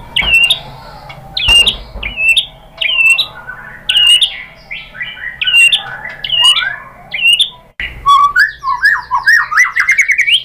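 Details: White-rumped shama song played as a provoking lure, opening with repeated short slurred whistles, then a fast climbing series of sharp chirps and whistles near the end.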